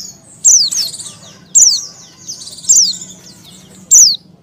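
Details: Oriental white-eye female, in breeding condition, calling to attract males; high thin downslurred chips roughly every second, mixed with softer twittering and buzzy high notes between them.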